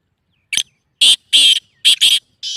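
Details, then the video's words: Black francolin call, used to bring the bird into breeding condition: a series of short, harsh, grating bursts, some paired closely together, separated by silent gaps. "Black Teetar Calling Sound"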